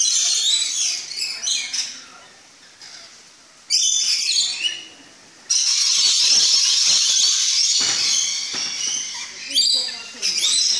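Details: A flock of captive rainbow lorikeets in an aviary at a tropical park in the Netherlands, excited at feeding time after hearing the metal food trays, fills the air with harsh, high, screeching chatter in overlapping bursts, with a few clearer whistled notes.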